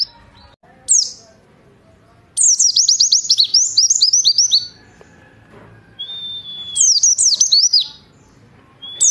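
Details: Warbling white-eye (pleci) tutor song in 'nembak' style, for morning dew-time playback: loud cascades of steeply descending high chirps in separate bursts, with quieter murmuring and a low hum between them.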